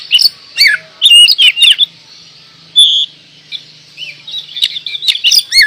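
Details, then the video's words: Kacer, or oriental magpie-robin, from Indonesia singing 'gacor door'. Loud clicks and whistled phrases open the passage, then a pause, then a sustained clear note. Softer twittering follows, ending in downward slurs. "Kacer gacor door"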